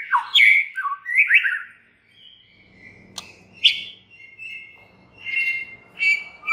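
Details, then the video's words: White-rumped shama song for provoking other shamas to sing: bright, slurred whistles at the start. After a brief pause come scattered sharp notes and drawn-out level whistles, with a soft low hum underneath. "99% murai JENIS APAPUN pasti NYAUT EMOSI dan GACOR berkat kicau Murai batu ini"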